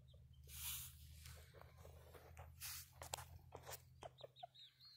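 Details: A friendly wild ruffed grouse, seen up close as it struts, gives soft clucks and sharp clicks, ending in a few short chirping notes over a steady low hum.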